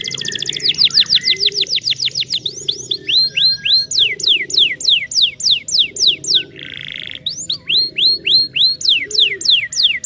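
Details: Canary song meant to prompt silent canaries to sing: an opening rapid rolling trill, then long runs of bright falling whistled notes at a steady quick pace, broken once by a short harsh buzzy burst, over a low background hum.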